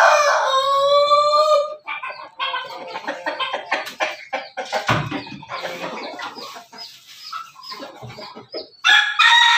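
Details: Pelung–Bangkok–Ketawa cross chickens raised in a backyard. The end of a rich, harmonic crow opens the passage, busy clucking and scratchy noises fill the middle, and another crow begins near the close.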